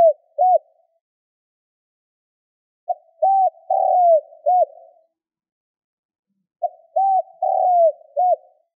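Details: Lure call of a spotted dove, used by bird-catchers. Three phrases of soft hooting coos each end in a long sliding croon and a short clipped note, spaced about three to four seconds apart, in clean silence.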